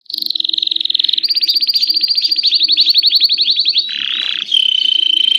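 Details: Canary song meant to make other canaries sing: a long, rapid, rolling trill holding steady in pitch, then a lower buzzy note and a sustained flat whistle.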